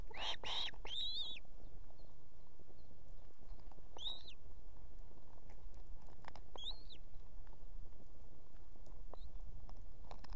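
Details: Osprey female at an Estonian nest with two chicks, calling for the male to bring food; a few clear, high, whistled chirps near the start, then sparse fainter notes over steady background hiss.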